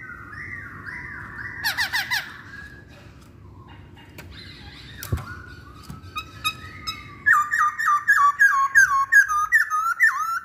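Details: Masked laughingthrush used as a lure to get other masked laughingthrushes singing: opening whistles and a brief rapid burst, scattered clicks, then a strong series of looping, rolling whistled notes repeated quickly to the end.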